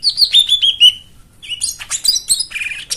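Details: White-eye song for prompting silent birds to sing: a quick descending run of clear high whistles, a short pause, then jumbled bright twitters and chirps.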